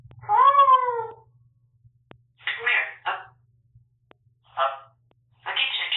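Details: Indoor pet African grey parrot working on a newly learned dog howl, recorded on a bird camera: a long arching multi-harmonic howl, then several short raspy talking syllables in quick clusters, with faint background hum.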